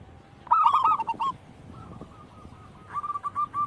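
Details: Local wild zebra dove singing for a lure recording: one loud stuttered burst of coos, then softer, fainter runs of short notes that grow louder again near the end, over a steady hum.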